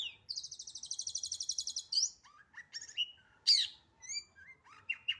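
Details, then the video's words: Long-tailed shrike in full, fast song: a rapid run of repeated high buzzy notes lasting over a second, then varied whistled slurs, sharp harsh bursts and short chirps in quick succession. "BURUNG CENDET GACOR FULL ISIAN SPEED RAPET"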